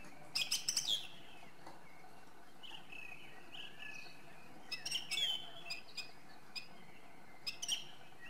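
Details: Song thrush (Turdus philomelos) song, fairly distant: a loud rapid burst of high notes at the start, then quieter slurred whistles and scattered chirpy phrases over steady low background noise.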